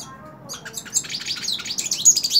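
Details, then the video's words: Sung from a person's hand, this hooded siskin phrase builds from soft notes into a dense, high, warbling twitter that rises toward the end. "Cabecita Negra Canta En La Mano / Pintassilgo Cante Na Mão"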